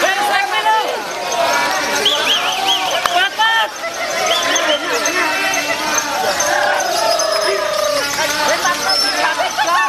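A lovebird pours out a long, fast run of shrill, squeaky chirps and twitters without pause, over a background of crowd chatter and voices.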